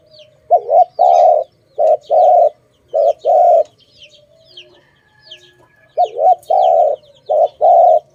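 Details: Dove linked to bird trapping cooing in repeated pairs, each a brief warbled note followed by a sustained mellow coo. There is a pause midway, then the pairs resume, with scattered high chirps from other birds in the background.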